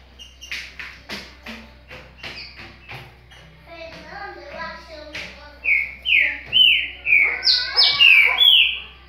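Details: Green-winged saltator in Paraguai song style. Sharp clicks and soft chattering notes come first, then a loud closing phrase of clear whistles that slide down and up, repeated in rapid sequence.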